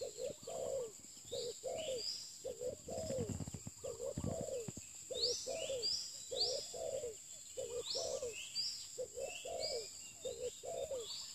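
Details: Repeated soft, throaty coos from a spotted dove kept for luring. The phrases are paired and fall slightly at the end. Scattered sharp chirps from other birds and a constant high hum run underneath.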